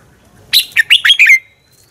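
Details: Red-whiskered bulbul fighting song, recorded as decoy sound for training: one brisk phrase of five bright, slurred whistles that climb and dip, ending in a thin trailing whistle.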